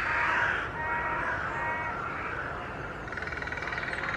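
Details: Several carrion crows meeting in the largest tree of Children's Wood, Hull, displaying with tail fanning; harsh overlapping caws open the recording, fading into softer calls and a fast rattling, pulsed sequence near the end.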